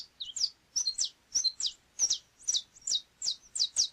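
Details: Saffron finch (canário chapinha) song up close: bursts of two-part chirps, a short high note followed by a ringing downslur, repeated every half second.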